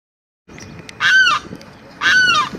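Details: Limpkin perched in a cypress tree, recorded April 22, 2021: two loud, grating, piercing screeches about a second apart, each rising briefly then sweeping downward with strong harmonics, over a low background rumble.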